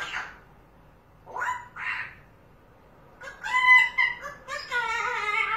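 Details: Pet parrot indoors, calling out after seeing a cat through the window: two short raspy bursts, then after a pause a run of loud, harsh, harmonic squawking cries, the last drawn out.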